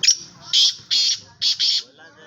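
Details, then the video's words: Black francolin, offered as a captive bird in Sindh, gives harsh, squawking bursts in a series of four to five loud broad notes about half a second apart, with faint background noise. "Lakka teetar sindhi || kala teetar || latto teetar"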